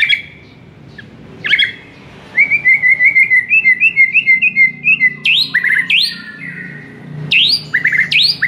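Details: White-rumped shama master recording for training a silent bird. A fast repeated trill of even notes lasting about three seconds, then loud high swooping whistles and quick chattering phrases. A soft low hum sits underneath.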